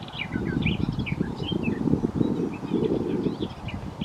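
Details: Garden warbler singing at Wyver Lane: a rapid, varied warble of short high notes and slurs that rolls on without pause. A heavy low rumble sits underneath throughout.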